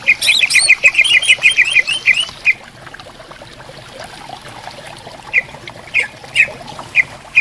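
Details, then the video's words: In bamboo forest by a clear stream, greater green leafbirds call back and forth: a fast run of about a dozen bright chipping notes, a pause, then single chips spaced about half a second apart, with running water behind. "Suara Burung Cucak Ijo Gacor Di Hutan Bambu Bersautan"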